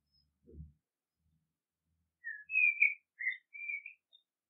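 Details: Common blackbird: after a faint low knock, a fluted phrase of four or five slurred whistles, rising and falling, closing with a thin high note.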